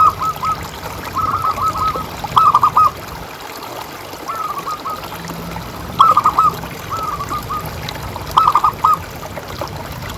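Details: Local zebra dove, recorded as a calling lure for other doves: several bursts of rolling, gurgling coos at steady mid pitch, a few seconds apart, with a quieter stretch in the middle and continuous faint hiss behind.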